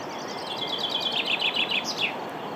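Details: Common chaffinch singing: a descending series of bright, rapid repeated notes ending in a short flourish, over steady hiss-like background noise.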